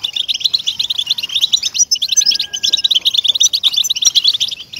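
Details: Song of a European goldfinch, used to stir caged goldfinches into singing: fast tinkling twitter of clipped chirps, steady and high, briefly broken before two seconds, with a thin sustained whistle-like tone underneath.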